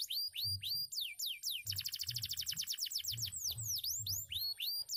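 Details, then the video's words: Song of a canary that was once a field bird: curved falling whistles, a fast dense trill, then V-shaped swoops and rising slurs, over soft low thumping. "KENARI BIKIN MELONGO..SUARANYA MANTAP"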